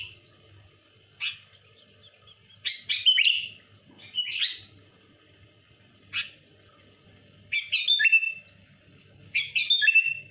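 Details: Sooty-headed bulbul calling out rival bulbuls, spaced phrases of clear rising and falling whistles every one to two seconds, some ending in chattery flourishes, over a faint low hum.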